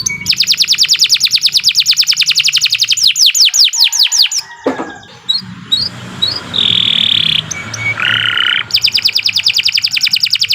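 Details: Canary in energetic, long-running song, used as a tutor and lure for other canaries. It gives rapid high trills of repeated notes, a pause with low background sounds, steady whistled tones, then fast trilling again.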